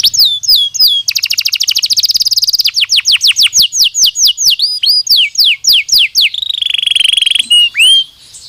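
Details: Belgian canary singing: dropping whistles, a very rapid trill, a regular series of steep downslurred notes, then a high sustained roll and a final low, swooping note.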